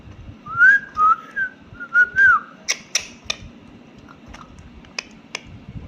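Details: Pet parrot indoors giving a series of clear whistled notes, smooth and slightly wavering, about five in the first two and a half seconds, followed by sharp clicks and tapping sounds.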